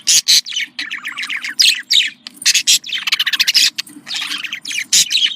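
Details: Domestic budgerigar breeding-stimulation sounds from male and female birds: a continuous rapid stream of squeaky chirps, clicks and buzzy trills in loud bursts, with a steady faint low hum behind.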